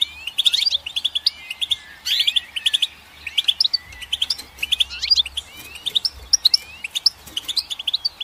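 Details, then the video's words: Bright, liquid goldfinch twittering: fast runs of high chirps mixed with rising and falling slurred whistles, delivered in dense clusters that repeat every second or so without pause. "Goldfinch Song"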